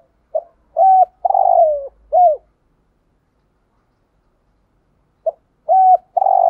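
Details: A decoy spotted dove performing thúc gù: a four-part phrase of a clipped note, a level coo, a drawn-out wavering coo and an arched closing coo. After a pause of about three seconds the phrase begins again.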